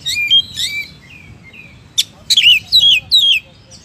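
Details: Oriental magpie-robin (kacer) giving mellow sliding whistles, then a sharp click followed by a quick run of bright, down-swooping whistled notes, each about a third of a second apart.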